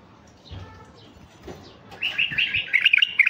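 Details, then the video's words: Stud mutant male white-eared bulbul singing to entice wild bulbuls. After soft taps, a lively, continuous stream of fast, rich chirping notes builds and carries on to the end. "تغريد بلبل عراقي طفرة فحل لفتح البلابل الوحشية الخام"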